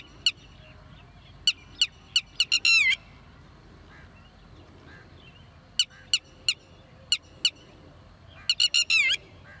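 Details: Red-wattled lapwing: loud, piercing notes in irregular bursts, two of which run into rapid, harsh strings, over steady low background noise.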